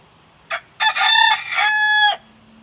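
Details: Rooster of unknown breed crowing: a short opening note, then a loud drawn-out harmonic cock-a-doodle-doo of about one and a half seconds, hoarse at first and steadier toward the end, over faint background hum.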